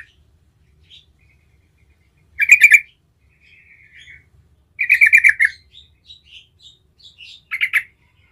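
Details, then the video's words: Yellow-vented Bulbul (trucukan) in gacor ngerol song, a lure for other trucukan to answer; three loud bubbling chatter phrases separated by softer, scattered chirping notes. "Trucukan jenis apapun 100% NYAUT seketika dengar panggilan Trucukan gacor ngerol ini"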